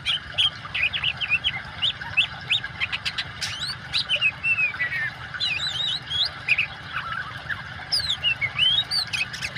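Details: Oriental magpie-robin singing energetically, mixed with water sound as training audio for birds that have stopped singing; varied clear whistled notes, rising and falling slurs and short chirps come in quick bursts over a steady hiss of water.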